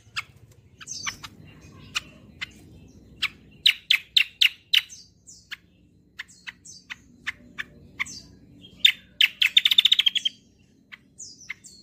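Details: Kecial kombo bird singing lively gacor song, used as a lure and song model: irregular high chips and squeaks, short rapid bursts of trilled notes, and a dense rolling trill near the end.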